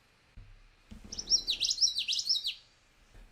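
Common Yellowthroat singing a rolling, high 'witchety-witchety-witchety', three quick rising-and-falling phrases in about a second and a half, with a couple of soft thumps before.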